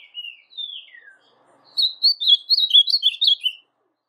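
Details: A kept blue-black grosbeak in brown (pardo) plumage. A few drawn-out, descending whistles come first. After a pause it gives a fast, lively phrase of about ten sweet, warbled notes that sweep up and down, ending abruptly.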